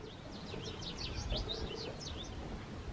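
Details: House bunting, Emberiza sahari sahari, at Riad Adriana in Marrakech, Morocco, on 22 June 2024: a quick run of about a dozen short, high, downslurred chirps in three seconds over a low background rumble.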